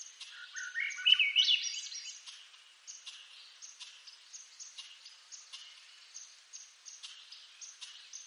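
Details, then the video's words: Swainson's thrush from eastern North America: a fluted phrase of notes spiralling upward for about a second, then a steady run of faint, high ticking notes repeated several times a second to the end. "Swainson's Thrush Bird Sound"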